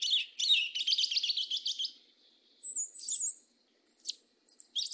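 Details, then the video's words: High, rapid trilled chatter from a black yellow-legged thrush, mateiro style from the south, followed after a pause by thin wavering whistles and short sharp notes. No other sounds intrude. "SABIÁ UNA PRETA CANTO MATEIRO DO SUL"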